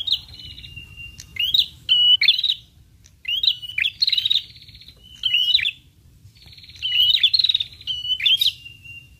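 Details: Prinia lure call that prinias answer: a series of sharp, high chirps and short buzzy trills in bursts about every one to two seconds. Some notes rise and others hold a steady pitch. Faint low rumble underneath.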